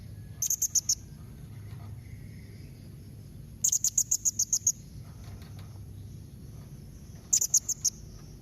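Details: Blue-crowned hanging parrot giving calls intended to draw answers from other parrots: three rapid bursts of five to eight piercing, very high, thin notes, separated by pauses of about three seconds.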